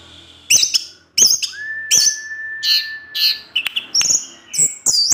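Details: Kept orange-headed thrush singing ngecip ngecis teler: repeated sharp buzzy chips about 85 times a minute, a long steady low whistle running under them, then a busy mix of high squeaky notes.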